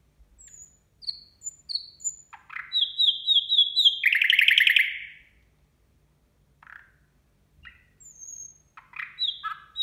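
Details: Nightingale song at New Year: short high whistles, a run of level piping notes breaking into a loud buzzy trill, then a quiet pause and scattered chirps and sweeps.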